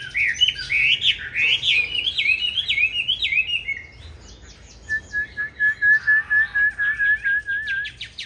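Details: Green-bean-eye Chinese hwamei giving competition song for training other hwamei: rapid sawtooth-like rising whistles in a steady run, then a pause and a series of evenly repeated, level whistled notes.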